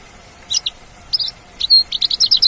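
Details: High chirps and a brief flat whistle from a wild Australasian bush lark, leading into a rapid jumble of short bright notes; a low steady hum is faintly present.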